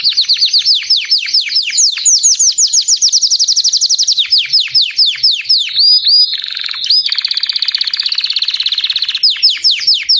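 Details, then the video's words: White crested Belgian canary pouring out rapid descending whistled sweeps, about four per second, broken by a dense buzzy trill before the sweeps resume. "Canário belga branco de topete cantando"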